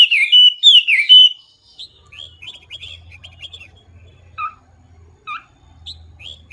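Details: Hwamei, also called wambi, singing loudly and clearly: a burst of rich whistled phrases swooping between high and mid pitch, then softer scattered chirps over a low hum.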